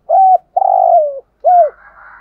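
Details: Hollow, low-pitched coos from a decoy spotted dove in 'thúc gù' style: a steady coo, a long burry coo falling at the end, and an arched note, then a faint higher chatter.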